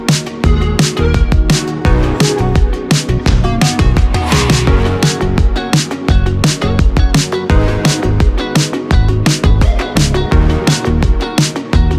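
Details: Loud electronic dance music with heavy bass and a steady driving beat fills the recording; no animal voices can be heard.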